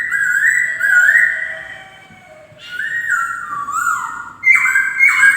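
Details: White-crested laughingthrush singing: long, smooth whistled notes that slide between low and higher pitch, split into two phrases by a short quiet gap, with a later series of stepped, falling whistles.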